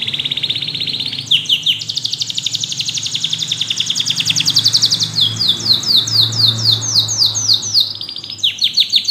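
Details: Yellow canary in song, delivering a fast high rattle that runs into a long sustained rolling trill, then a string of quick descending whistled slurs.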